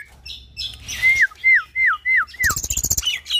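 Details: Tutor-song of a caged Nias hill myna and Asian pied starling cross: five loud, falling whistled slurs in quick succession, then a burst of high, buzzy chatter and thin squeaks.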